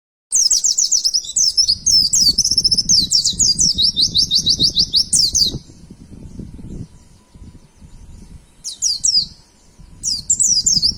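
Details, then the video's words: Caged white-eye, kept as a pet songbird, singing a rapid high twittering song of buzzy chirps for about five seconds, then pausing and resuming with short bursts near the end; low rumbling handling noise underneath. "pleci materi indah bikin gacor burung kesayangan"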